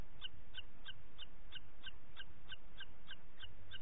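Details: Booted eagle, Parc Natural dels Ports, 27 June 2021 at 09:06: a steady series of about twelve high, ringing notes, roughly three each second, evenly paced throughout, with faint low background noise.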